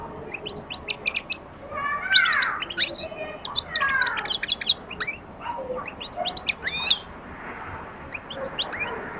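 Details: European goldfinch beginning its song and attacking: quick high twittering chirps and short sweeping notes in bursts, with some lower harmonic slurred notes mixed in.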